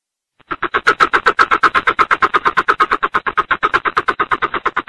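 A Greater coucal gives a fast, even run of harsh, hollow pulses, several each second, sounding loud and distorted throughout.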